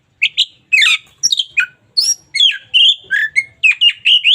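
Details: Local Oriental magpie-robin singing briskly for daily tutoring: a rapid string of rich whistles, harsh chirps and slurred notes, about two per second, each phrase sweeping up or down.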